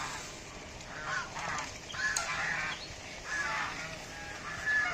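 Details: Local domestic goose (deshi raj hash) calling in uneven bursts of hoarse, nasal honks that swell louder toward the end, with constant broadband hiss behind.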